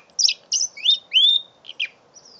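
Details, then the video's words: Mule canary, five months old: a few loud separate notes, high chirps then two long smooth whistled slides rising and levelling off, ending in softer clipped chips, with a low murmur underneath. "My 5 months old mule canary"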